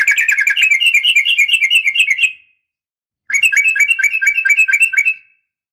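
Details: Sooty-headed bulbul female, known as trucukan, calling to make males answer. Two long runs of rapid, bubbling rattled notes, each over two seconds, separated by a short gap, clean with no other sounds.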